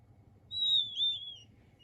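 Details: A single king quail chick gives one drawn-out, pure high whistle that dips and rises slightly in the middle before fading, with a quiet low hum behind it.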